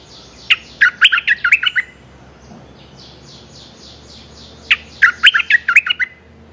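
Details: Streak-eared bulbul calling for a mate, delivering two bursts of rapid, bubbling chirps separated by about three seconds, with a soft series of faint descending notes between them.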